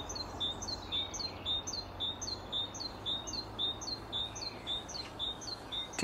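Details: Great tit in garden or woodland sings a bright, high two-note 'teacher' phrase over and over, nearly two a second, while a second great tit answers from nearby, over a low hum.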